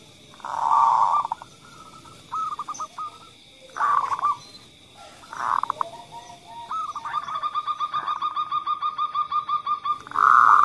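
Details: Zebra doves, a vocal local female and a kerot male, calling to stimulate other doves: dense rolling bursts alternate with short clipped coos, ending in a long, fast, even run of about twenty notes and another burst. A steady high tone runs throughout.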